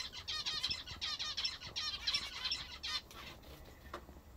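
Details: Pet zebra finches eating a favourite food call in a quick run of bright, nasal, harmonic beeps, roughly one to two per second, fading out over the last second with light clicks.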